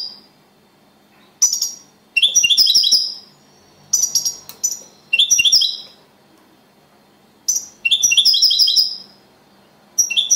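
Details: European goldfinch, a champion singer ranked second, in copia Malaga style: short bursts of high twittering and sharp chirps, several phrases broken by brief silences.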